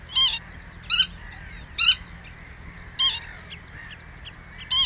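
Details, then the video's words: Common redshank at Ochsenmoor, Hüde, Germany, 26 May 2018 at 14:15, giving five short, loud, slightly harsh calls at irregular intervals of about a second, over a faint low hum. "Redshank Call"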